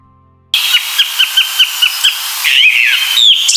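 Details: Song Thrush song, described as flute-like, clear and rhythmic with phrases repeated two or three times. After a brief silence, a string of short whistled notes comes about every quarter second over a steady high tone, followed by a varied twittering phrase.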